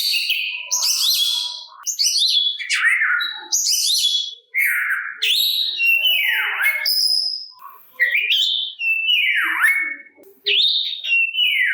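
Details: Oriental magpie-robin delivering a challenge song to lure other magpie-robins into responding: a series of separate phrases, each a loud slurred whistle or falling swoop, spaced roughly a second apart, some ending in buzzy notes.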